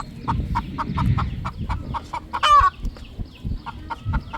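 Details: Relaxing roosters, three in number, on a poultry farm at evening sunset: steady short clucks, a loud rasping squawk around the middle, then sparser clucking.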